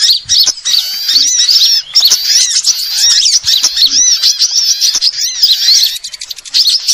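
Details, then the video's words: Overlapping sunbird calls for attracting birds: thin, very high chirps and fast warbling twitters run almost nonstop, with scattered clicking noises throughout. "suara pikat semua jenis burung kolibri"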